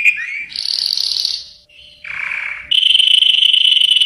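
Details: Yellow canary singing: a quick rising slur, a high buzzy roll, a soft fading note, a lower rattling tour and finally a loud steady rolling trill.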